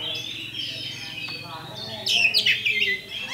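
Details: Oriental magpie-robin lure song from a champion kacer to provoke fighting: a soft, distant-sounding warble, then a louder burst of high chattering whistles.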